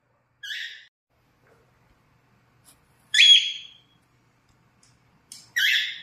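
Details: A pet cockatiel (Nymphicus hollandicus) gives short, harsh screeching calls, one about every two seconds, with quiet pauses between.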